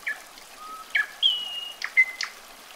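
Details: Common nightingale delivering sparse whistles: a low pure tone, a sharp click, a long high sliding whistle, and short level notes between crisp clicks.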